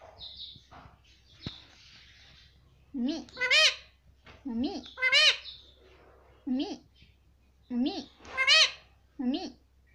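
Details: Tame Indian ringneck parakeet repeating "mummy" in a room, about six shrill nasal two-syllable utterances spaced a second or two apart, with quiet chatter and faint background noise between.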